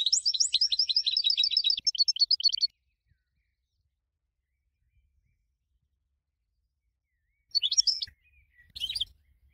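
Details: Goldfinch song from a champion bird used for training others: a fast run of repeated high chirps lasting under three seconds, then about five seconds of silence before two short twittery bursts.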